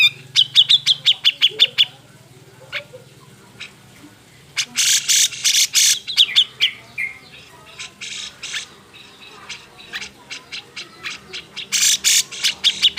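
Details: Agitated grey-cheeked bulbul song used to stir quiet birds into singing: a quick series of clear whistled notes, then clusters of loud raspy bursts, more whistles and a final burst of harsh notes.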